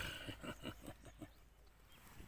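A black francolin gives a harsh, grating burst of about eight quick rasping notes in under a second, then fades into faint outdoor background.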